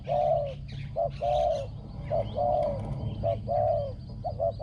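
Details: Spotted dove kept as a ground decoy, praised for its small, resonant voice and excellent coo. Clear, rounded coos repeat in a steady rhythm, short notes alternating with longer drawn ones, over a low hum.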